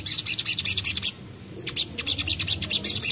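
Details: Young common iora singing continuously as a lure to make other birds sing: two runs of rapid high chirping chatter separated by a short quiet gap.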